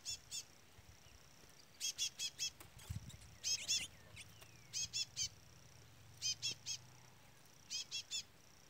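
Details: Chestnut-bellied seed finch chick, peeping throughout near a brown-plumaged adult. Short, very high, clipped peeps in bursts of two to four, repeated roughly every one to two seconds, with low background hum.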